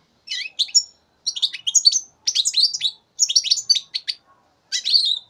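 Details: Three-month-old European goldfinch recorded in 2015, producing quick clusters of bright, chattering, twittering notes in groups of several chirps, broken by short gaps, with a final buzzy, warbled phrase.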